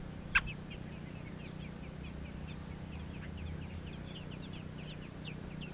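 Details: Baby American robins in Georgia give many faint, short high chirps in a quick scattered series, with one sharp loud click early on and a steady low hum underneath.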